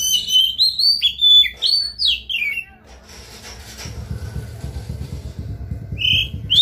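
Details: Kacer, the Oriental magpie-robin, a vigorous Indonesian singer played to draw song from another bird: a burst of rich, falling and rising whistles for nearly three seconds, then low background rumble and one brief whistle near the end.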